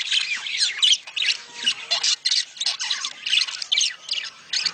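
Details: Breeding-stimulation calls from budgerigars: many birds chattering at once, with scratchy squawks and bright chirps pulsing in quick loud bursts.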